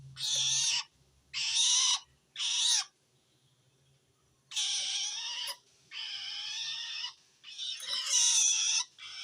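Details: Long-tailed shrike giving a call that marks feeling threatened by another shrike, directed at wild shrikes. Three short grating bursts, a pause of nearly two seconds, then longer scratchy, noisy bursts in quick succession.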